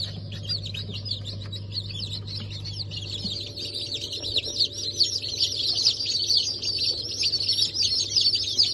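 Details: Hatchling chickens of Cream Legbar, Sultan and Maran Couper breeds, 15 March 2024: rapid high falling peeps from many chicks that build louder and denser toward the end, over a low hum that fades.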